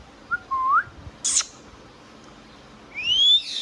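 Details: Indian ringneck parrot: a small looping whistle, one rough high squawk, then after a pause a strong, clear upward-gliding whistle.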